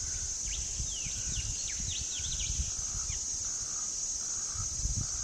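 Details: Rainbow bee-eaters feeding several hidden chicks at a nest burrow at Emily Gap in mid-December, possibly slowed to 1/8 speed, give a quick run of short, rolling chirps over a steady high insect drone and low wind rumble.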